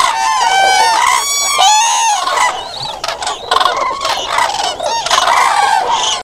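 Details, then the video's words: Loud, overlapping bugles of common cranes: resonant rolling trumpets tumble over one another in quick succession, briefly thinning mid-way before the chorus swells again toward the end. "Common Crane musical chords"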